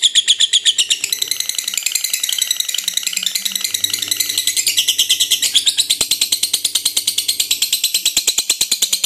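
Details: Lovebird chattering continuously: a dense stream of high, shrill, rapid twittering notes with a steady clicking pulse running throughout.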